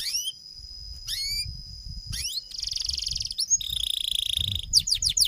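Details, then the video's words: Canary in long, lively song: high whistled sweeps rising and falling, a steady thin tone, then fast buzzy trills and quick descending chirps, with faint low rumbling underneath. "Suara Kenari Gacor Panjang"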